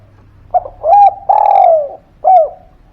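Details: Spotted dove cooing, used as a lure to prompt quiet birds to sing: a short note followed by long, slightly falling coos near the same pitch, then a brief downturned coo; clean, quiet background.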